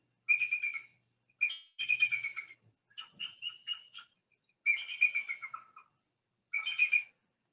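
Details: Bald eagle call replayed for comparison with a golden eagle: five bursts of high, squeaky, chattering piping notes, each lasting under a second, separated by brief pauses, some trailing downward in pitch.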